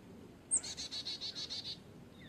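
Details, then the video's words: Carolina chickadee call: one sharp high introductory note followed by about seven buzzy, regularly repeated dee notes, heard over quiet background. "Chickadee call / song / sounds"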